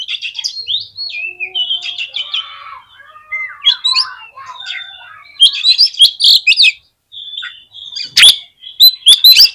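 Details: Song of an Oriental magpie-robin meant to trigger other magpie-robins, a jumble of sweet whistles and descending slurs, then a brief pause before loud scratchy, chattering phrases.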